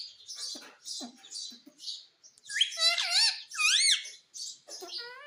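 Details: Pet parrot imitating the word "mummy": loud wavering harmonic utterances repeated twice, each sliding up and down, preceded by brief high chirps and faint low voice-like sounds.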